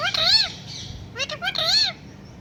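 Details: Pet parrot saying a cat-like meow: two strong, rich, arched meow calls with a short chattering stutter between them, close and clear.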